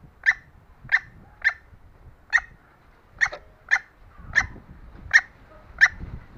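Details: Calling female green junglefowl, used to entice lazy males: nine brief, sharp clucks repeated about every half second, over a low rumbling background that grows louder toward the end.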